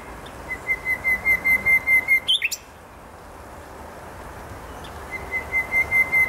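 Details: Nightingale in Poznań's botanical garden, Poland, giving a long series of pulsing whistled notes on one pitch, broken by a sharp slurred note, then starting the pulsing series again.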